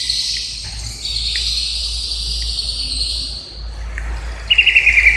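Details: Indonesian greater green leafbird (cucak ijo) giving high, sustained whistled chirps with short pips, ending in a loud, quick series of pulsed notes dropping slightly in pitch; faint low hum beneath.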